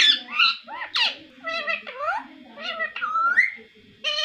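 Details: Pet parrot chattering in harsh, nasal imitated speech syllables with some squawks, uneven bursts and a quick rising whistle-like slur, indoors.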